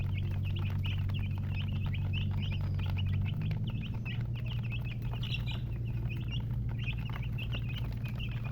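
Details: Chicken chicks chirp busily, about three short high notes a second on average in an irregular stream, with a low mechanical hum underneath.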